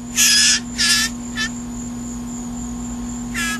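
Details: Hungry hand-fed blue jay in its seventh day of feedings: two loud, hissing, rasping shrieks in quick succession, a shorter one, then another after a pause, over a constant electrical hum.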